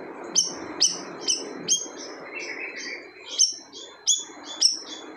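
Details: Loud song of a gacor siri-siri bird, said to silence other birds: rapid sharp high notes, a short gap with softer sounds, then further spaced piercing notes, over steady background noise.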